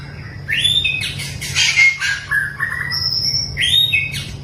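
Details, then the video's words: Long-tailed white-rumped shama in mental training gives a rising whistle, a harsh rasping burst, then clear level and fluty notes, over a low hum. "melatih mental burung murai batu ekor panjang"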